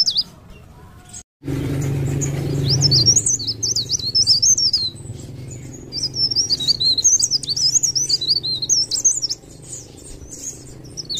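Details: Leaf warbler (cikrak daun) in full, continuous song: long runs of rapid, high, twittering and wavering notes, broken by brief pauses, over a steady low hum.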